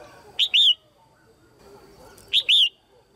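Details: Female red-whiskered bulbul, a cage bird, calling to stimulate males or for pairing: a loud, clear two-part note, a short sharp chip then a longer bright whistled slur, given twice about two seconds apart over a faint low murmur.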